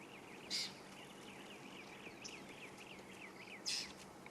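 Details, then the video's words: Adult yellow-billed oxpecker riding a buffalo in the African bush, calling to other oxpeckers that answer from cover and to its juvenile, which flies over to join it. A rapid series of short chevron-shaped chirps runs throughout, with two brief harsh bursts. "You can hear that oxpecker. It's calling to the others that are answering off in the bush here."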